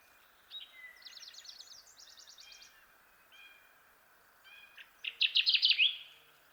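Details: Kirtland's warbler (Setophaga kirtlandii), the jack pine bird, gives a loud rapid run of bright, ringing notes in the closing seconds. Earlier come softer rattling trills and short whistled notes from other birds.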